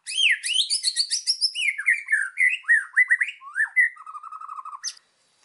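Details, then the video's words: Master song of a white-rumped shama for training birds, packed with fill-in phrases: rapid high twittering, then a string of swooping whistled notes and a closing low, fast rattling trill before silence. "MASTERAN MURAI BATU GACOR !!! FULL ISIAN LANGSUNG EMOSI !"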